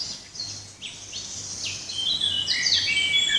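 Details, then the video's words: Several birds singing in a forest: high, thin chirps and short downslurred whistles overlap throughout, growing louder and denser toward the end, with a bright trill near the close and a faint steady low hum underneath. "Sounds of the forest - birds"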